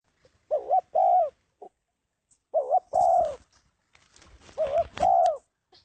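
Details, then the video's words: Spotted dove cooing: short phrases of low, hoarse coos, a dipping note then a longer steady one, repeated about every two seconds, with faint rustling noise between phrases. "tiếng chim cu gáy Độc Lạ"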